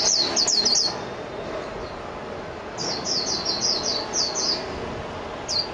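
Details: Japanese white-eye song heard as a brief burst of high twitters, a pause, then a longer phrase of quick, thin notes.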